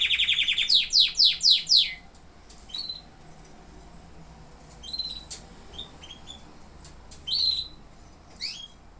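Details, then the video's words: Canaries singing: a quick burst of loud descending notes for two seconds, then scattered short chirps and sliding whistles over quiet background. "Singing canaries"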